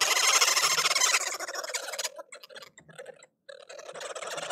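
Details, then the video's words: A group of woodhoopoes at a bird feeder in South Africa gives loud territorial cackling, a harsh, rapid chatter of overlapping voices that breaks off briefly before the chorus starts again, with bobbing and bowing displays. "Woodhoopoes Cackling Calls"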